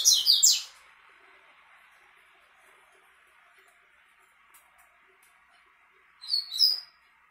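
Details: Double-collared seedeater singing to a female opens with a loud, shrill chattering phrase, falls quiet over a soft hum for several seconds, then delivers a second short, high squeaky burst.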